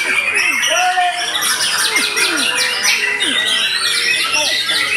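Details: White-rumped shama after moult, singing a loud, dense, continuous run of high whistled and buzzy notes with rapid downward sweeps, some lower slurred whistles beneath.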